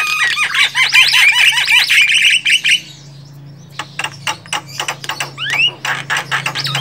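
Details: Wild Javan myna: a fast series of squeaky, repeated chattering notes for about three seconds, a short pause, then scattered clicks and a couple of rising whistled slurs, over a constant low hum.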